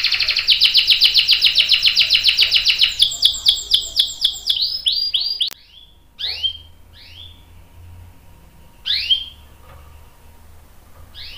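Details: Canary song meant as a tutor for young and adult canaries: a fast rolling trill that slows into separate downslurred notes, followed by sparse single chirps with quiet gaps between them.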